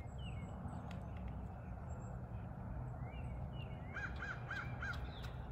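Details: Morning visit by crows after rain, calling for breakfast: faint whistled notes from other birds first, then four rapid, evenly spaced caws near the end, over constant low rumbling noise.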